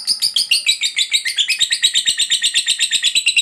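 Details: Ngekek chatter from a fighter lovebird meant to get other lovebirds calling: quick raspy notes whose pitch slides downward and then holds, repeated rapidly in an uneven rhythm.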